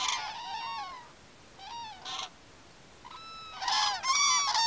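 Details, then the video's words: Common cranes at Campo Maior, several birds giving loud trumpeting, rolling calls with rich harmonics, in bursts separated by short pauses, overlapping calls near the end. "Grous em Campo Maior"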